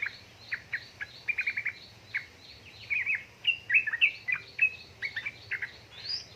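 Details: Yellow-vented bulbul female calling a male, played as a lure to rouse lazy captive birds; chattering ngeriwik-style chirps, quick slurred notes tumbling together, with a steady repeated higher tick behind and a low hum.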